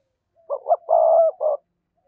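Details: Spotted dove giving a full coo sequence, used to draw wild doves in: two short low hoots, a long sustained coo, then one final short note, clean with no other sounds.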